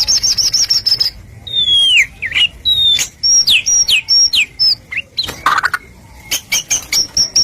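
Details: Song of a white-rumped shama, used to goad other shamas into singing: high rapid trill at the start, then varied falling whistles, clicks and short high notes, with a harsh burst midway and high repeated notes at the end.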